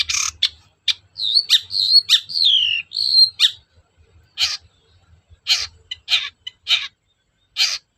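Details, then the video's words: Long-tailed shrike singing on a lure recording meant to provoke reluctant shrikes into song: harsh scratchy bursts mixed with clear whistled, slurred notes early on, then spaced raspy chattering phrases, with faint low thumps beneath. "PANCINGAN AMPUH CENDET SUSAH BUNYI"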